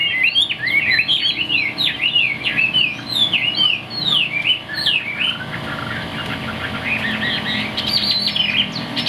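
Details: Caged Chinese hwamei kept as a songbird, fig-leaf tailed, singing strongly from high on its perch: a continuous rush of loud, rich whistled phrases, rapidly rising and falling slurs and trills with hardly a pause, over faint background hiss.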